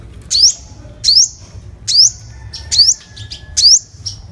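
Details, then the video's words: Sunbird lure call: a series of five loud, high rising chirps with short buzzy tails, spaced roughly every 0.7 seconds, with a few softer twittering notes between them and a faint low background hum. "Tiếng hút mật 5 màu mồi, file tiếng hút mật 5 màu- Sunbird sound"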